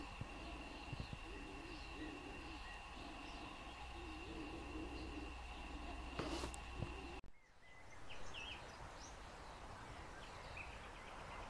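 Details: European turtle dove, a seriously endangered species, in Lower Silesia, Poland, where 5 nests and 14 birds occur in 4 square km; low purring phrases repeat steadily over a constant high tone, a loud crackle near six seconds, then an abrupt drop to quieter ambience.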